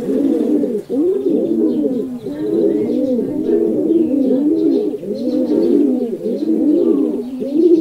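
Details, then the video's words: Several pigeons coo without a break, deep burbling phrases rising and falling about once a second across the whole stretch, with faint high twitters behind them. "Pigeon Sounds"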